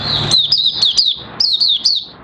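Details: Oriental white-eye, Mata Puteh Raja, starting its song on 30 August 2022 as new white feathers near full colour; rapid high twittering of slurred chirps in two close bursts.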